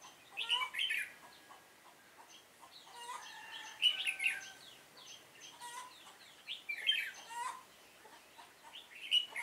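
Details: Red-whiskered bulbul fighting song from a trapping decoy in Vietnam, September 2018: repeated bursts of sharp, warbling whistles and chirps, several phrases spaced a couple of seconds apart, with other bird chirps between.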